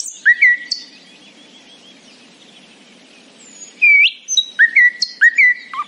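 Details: Nightingale singing in the morning: a few whistled notes, then a long quiet stretch, then bright rising-falling whistles repeated in short bursts against a soft low hum.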